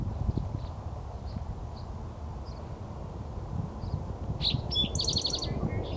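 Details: At Jamaica Bay Wildlife Refuge, Queens, New York, an Eastern towhee sings once near the end, a sharp introductory note then a quick bright trill, over steady low wind rumble and faint scattered chips.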